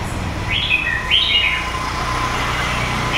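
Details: Red-whiskered bulbul, red eye patches, a wild bird from A Lưới, Huế, Vietnam, two seasons, giving a clear run of looping whistled notes that swoop up and down, with faint low humming behind.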